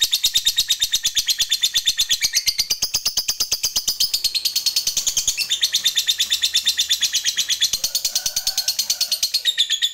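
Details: Lovebird song of the ngekek panjang kind, played as a lure to make other lovebirds sing: an unbroken, shrill, rapid chatter of clicking notes, steady and high-pitched, running for ten seconds.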